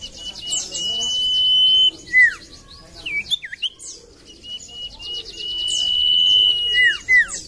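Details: Common iora song used as a lure for birds slow to sing: drawn-out, level high whistles lasting up to two seconds, each ending in a quick falling slur, mixed with rapid, thin, twittering notes above.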